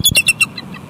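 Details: Bald eagles tussling over food at a West End nest on 14 January 2020: the female tries to take the male's meal and he refuses, nipping at her. Four rapid, loud, squeaky high notes open the moment, followed by fainter trailing chitters.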